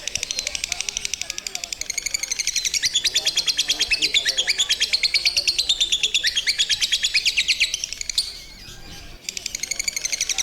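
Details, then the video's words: Lovebird singing and chirping in a long ngekek chatter: rapid, buzzy, high-pitched notes pouring out continuously for about eight seconds, a brief pause, then the chatter resumes. "Lovebird singing and chirping sound | Lovebird ngekek ngekek panjang"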